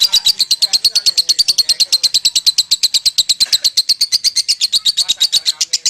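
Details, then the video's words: Lovebird in a long ngekek trill, an unbroken chatter of piercing, high notes at about seven per second, keeping an even pace throughout. "Lovebird Legend KUSUMO Ngekek Panjang"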